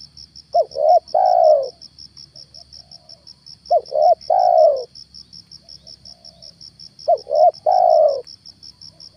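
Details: Decoy spotted dove calling in the morning to attract a wild stammering spotted dove: three phrases roughly every three seconds, each a pair of short hooting notes then a longer falling coo, with quick high ticking behind.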